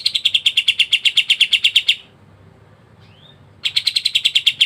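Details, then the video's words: Kapas tembak, or pied triller, in nonstop 'ngebren' rattling used to train songbirds: two long runs of rapid bright pulses separated by silence and one faint rising note. "KAPAS TEMBAK GACOR NGEBREN RAPAT"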